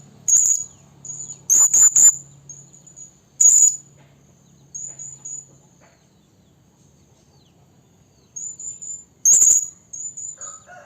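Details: Blue-crowned hanging parrot lure call for trapping, said to be a female calling the male: piercing high-pitched chirps in brief clustered bursts separated by quiet gaps, over a soft low hum.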